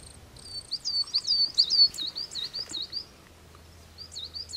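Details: Singing coal tit delivering a fast string of high, sweet looping notes, loud and regular for about two seconds, then a pause and a quieter resumed burst of the same phrase.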